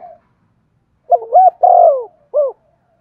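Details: Spotted dove coo meant to stimulate singing: one clean phrase of two quick rising hoots, a long falling coo, then a separate short hoot, in silence otherwise.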